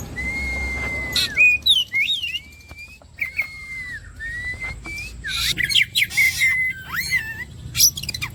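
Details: Oriental magpie-robin (kacer) song used as bait to make birds sing vigorously: long level whistles and slurred whistled notes, broken by short harsh buzzy bursts, over a faint low background hum.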